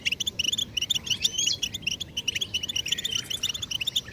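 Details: Stimulation song of a European goldfinch: a busy, liquid twitter of rapid high chirps, tinkling notes and brief buzzy slurs, delivered in an unbroken stream with short clustered bursts.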